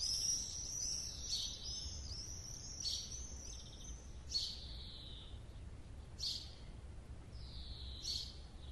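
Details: Common house martin singing: a series of high chirps and sharp downward-sweeping notes, spaced about a second or more apart, with soft twitters between them over low background rumble.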